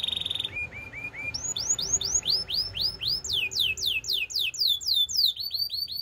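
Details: Canary song for training, opening with a high buzzy note, then short repeated upslurred whistles that rise in pitch into fast, rolling, swooping phrases about four per second.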